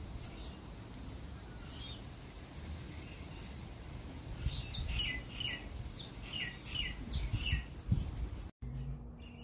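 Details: Australian magpie in Australia: a loose series of short bright chirping notes, clustered in quick pairs and triplets through the middle, over a steady low background rumble, ending in a brief gap and a faint hum.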